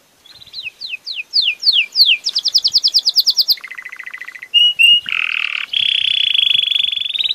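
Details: Belgian canary delivering a chain of trills: repeated falling notes, a fast high rattle, a lower rolling trill, brief whistles, then a long buzzy trill rising slowly at the end.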